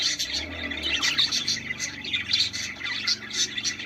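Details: Budgerigar song to stimulate mating: a busy stream of twittering chirps and sharp clicks, constant and bright, with tiny bursts roughly every few tenths of a second.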